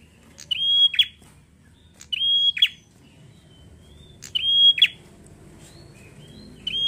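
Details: Bar-winged prinia singing in the 'gacor ngalun fighter' style, used to stir other prinias into song. Four phrases, roughly two seconds apart, each a sustained high whistle ending in a short rasping buzz.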